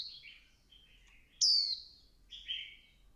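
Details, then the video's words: Female Swinhoe's white-eye goading the male into 'líu căng lửa' singing: one loud, thin, falling whistle rising out of quieter, lower twittering notes before and after. "Tiếng chim vành khuyên mái kích trống líu căng lửa"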